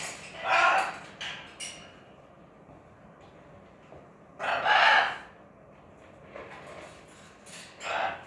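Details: Macaw living at a junkyard giving loud, harsh, raspy squawks, three main bursts near the start, middle and end, with shorter scratchy calls between and quiet pauses in a calm setting.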